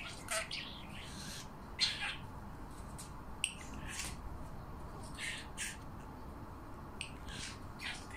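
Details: A pet parrot imitates coughing: short, harsh, breathy bursts repeated irregularly over a few seconds against low background hum, while it feeds its own reflection as if it were a mate.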